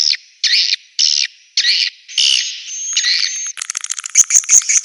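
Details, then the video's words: Swiftlet calls for a swiftlet house: four separate buzzy, nasal chirps about half a second apart, then a longer drawn-out chirp, ending in a fast burst of short ticking clicks and high thin notes. "SUARA BURUNG WALET"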